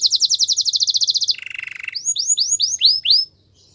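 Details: Canary training song: a fast even high trill, a lower rattling roll, then a string of arched descending whistles, ending in near silence.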